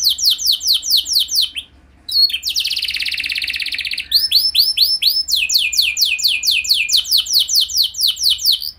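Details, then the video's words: Canary song played as a lure so other canaries join in: rows of quick descending whistled sweeps, a short pause, a dense buzzy trill, then more rapid repeated sweeps and looping notes. "Langsung Gacor Dor Burung Kenari Mana Saja Dengan Pancingan Ini! Pasti Nyaut Ikut Gacor"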